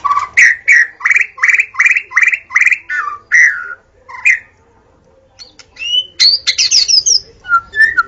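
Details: White-rumped shama singing at dawn, used as a lure: a rhythmic run of about ten loud rising whistled notes, then a pause and varied high twittering whistles.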